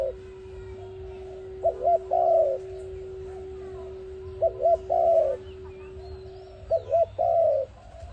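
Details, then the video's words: Dove call for trapping: three phrases, each two brief arched coos then a sustained wavering coo sliding downward, with a steady low tone running beneath much of the recording. "Sound of ARIMIX dove quality sound to use for trap"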